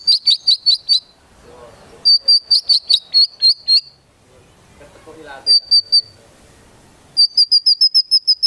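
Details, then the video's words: Lively white-rumped shama song filled with konin and kinoi phrases, meant to provoke other shamas: bursts of rapid, high, evenly repeated sharp notes separated by short pauses, with faint low rustling between bursts. "Murai Batu Gacor Isian Tembakan Burung Konin Dan Kinoi Ampuh Memancing Emosi Murai Batu"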